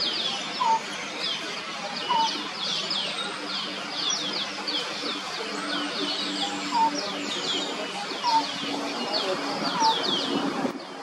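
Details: A lineated barbet in trees at Bishan Park gives its call, short mellow hooted notes, roughly one every one and a half seconds, over a busy background of high chirping from other birds; finding: Lineated barbet.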